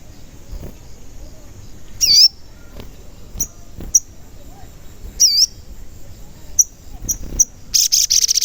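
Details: A sogon bird used as a lure to make other sogon sing and grow agitated, described as calling cuit cuit. High swooping whistles dip and rise, mixed with short piercing chirps, ending in a rapid buzzy rattle.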